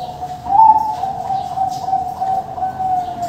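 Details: Adult Bangkok-type zebra dove, captive-bred on a bird farm in Tasikmalaya, West Java, giving a long, soft, purring trilled coo held at a steady low pitch for about three seconds, slightly louder near its start.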